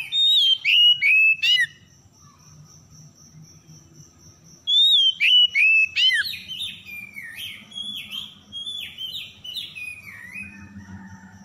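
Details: Oriental magpie-robin lure song to stir stressed, mute birds into singing: a quick set of loud whistles, a gap with a thin steady high tone, the whistles again, then a long series of falling chirped notes.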